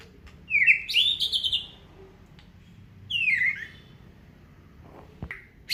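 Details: Aceh white-rumped shama in captivity singing two separate bright whistled phrases with quick slurred notes, silence between, and a sharp click near the end.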